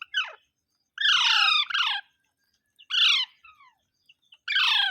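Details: Loud parrot squawks come in quick succession: a sharp opening note, then a long double screech, a shorter harsh call, and a final grating burst.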